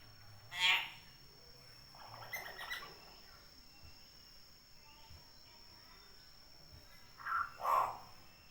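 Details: Common hill myna, kept natural and lively (gacor), giving loud harsh calls: a sharp burst early on, a rougher grating call soon after, then two quick calls close together near the end, over a steady electrical hum and quiet background.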